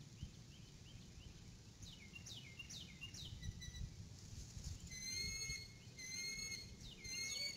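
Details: Adult female eagle calling as she comes to the nest, April 2018 evening, live camera; a run of high descending chirps, followed by clear whistled tones with ringing overtones, all over low steady noise.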